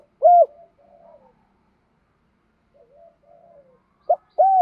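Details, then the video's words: Decoy spotted dove calling to lure wild doves: a loud, hoarse, rounded coo opens, then soft fluttering murmurs, and a short note plus another loud coo close the phrase; quiet room, no other sounds. "Tiếng chim cu mồi gáy gọi bổi nhanh về"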